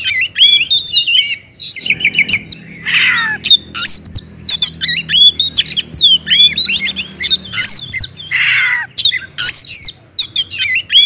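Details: Loud Oriental magpie-robin song used to stir other magpie-robins to sing: rapid varied whistles, sharp upslurred and downslurred notes, a few scratchy buzzy bursts, continuous phrasing over a faint low hum.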